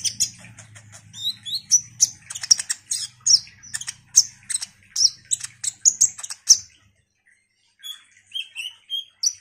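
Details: A ruby-cheeked sunbird, or konin, sings energetically as a lure: a long run of rapid high chirps and ticks over a faint low hum, then a pause and a few descending whistled notes.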